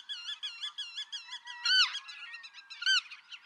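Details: Black-tailed godwit, Pingtung County, Taiwan, 6 October 2015: a quick run of wavering, curved nasal notes gives way to two louder, harsh calls, over a constant background of many calling birds.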